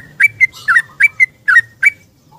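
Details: Yellow-vented bulbul in the morning searching for a companion, used as a lure: a short series of clear, slightly rising whistled notes in quick succession, ending in a soft low note, with low background hum.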